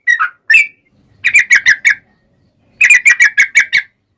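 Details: Yellow-vented bulbul song as a lure to provoke singing: a couple of liquid warbled notes, then two quick bursts of five or six bright repeated chirps.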